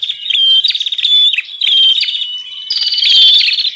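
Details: Bar-winged prinia call used as a lure for wild birds, sharp chattering bursts with thin whistled notes, delivered in choppy phrases separated by short pauses.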